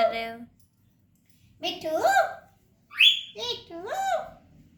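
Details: Baby parrot talking: short, speech-like syllables with rich harmonics, some rising and falling in pitch, given in three bursts separated by brief pauses, recorded indoors.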